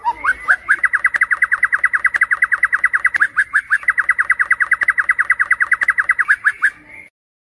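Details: White-rumped shama singing a night lure for Indonesian bird contests: a couple of rising introductory notes, then a long, fast, unbroken series of uniform short notes lasting around seven seconds.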